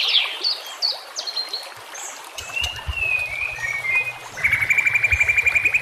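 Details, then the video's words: White-rumped shama song for training captive shamas: high whistled phrases and drawn-out slurred notes, ending in a fast, evenly pulsed series of bright notes, with water and a low rumble in the background. "Dengan CEPAT murai batu AKAN EMOSI dan IKUT GACOR dengan masteran murai batu ini"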